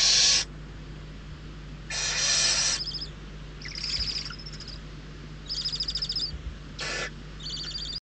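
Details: Hungry barn owl chicks in Riet Vell Nature Reserve, Ebro Delta, Spain, vying for prey; harsh hissed screeches mixed with thin rapid twittering trills and chittering notes, the calls irregular over eight seconds.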